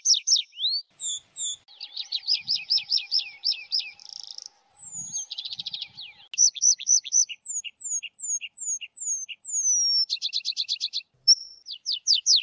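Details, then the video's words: Tree pipit singing a varied sequence of high phrases: quick downslurred notes, a fast trill, buzzy notes, then a run of clear rising and falling whistles, each phrase changing after a few seconds. "tree pipit sound صوت جشنة الأشجار"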